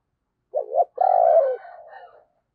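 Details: Spotted dove used as a decoy, giving 'thúc' and 'gáy' calls to lure wild doves: a short wavering low coo, then a longer, louder, steady hooting coo that fades into a softer tail. Background is quiet.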